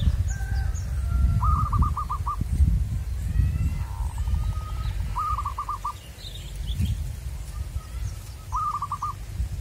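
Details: Zebra dove in the wild, sought by trappers, singing three clear bursts of rapid bubbling coos spaced a few seconds apart, a softer pulsed series between them, over low rumbling noise and faint chirps.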